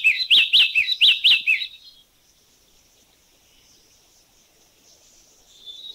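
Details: Yellow-cheeked tit calling in Thailand: a quick burst of about six sharp, high chirping notes in under two seconds, then near silence with a faint high hiss.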